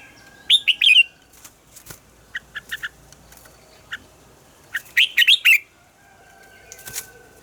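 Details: Morning song of a red-whiskered bulbul in the wild-forest double-note style: two lively warbled bursts of rapid, bright notes separated by a series of short, evenly spaced chips.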